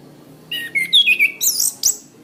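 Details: Orange-headed thrush, master recording for cage-bird training: a dense one-and-a-half-second phrase of rich whistles sliding between notes, ending in very high squeaky slurs.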